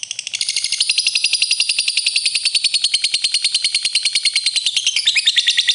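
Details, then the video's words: Lovebird in vigorous song: fast, metallic, rasping chatter repeated over three times a second without a break, almost alarm-like in its steady pulsing. "lovebird gacor sekali"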